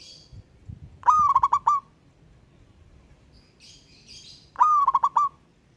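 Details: Local wild-type zebra dove calling out to a rival: two cooing phrases, each a short rising note then a quick run of clipped, stuttering coos, about three and a half seconds apart; faint high chirps of other birds between.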